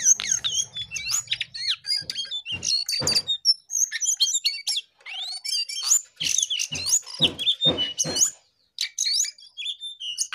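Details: Energetic jongkangan song: long run of sharp high twitters, whistled upslurs and quick chirps delivered in rapid bursts, with short pauses and a brief low buzz at the start.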